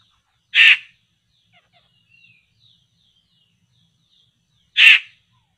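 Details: Two coarse, raspy bursts about four seconds apart from a poksay laughingthrush being lured for trapping, with scattered faint high chips and a soft descending whistle between them.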